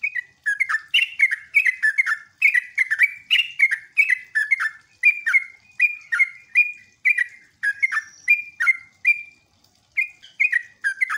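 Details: Sooty-headed bulbul lure song, used to make other bulbuls call back, in jogjog, ngeropel, ngecruk and nembak styles: a long steady stream of bright, falling whistled notes, briefly interrupted near the end.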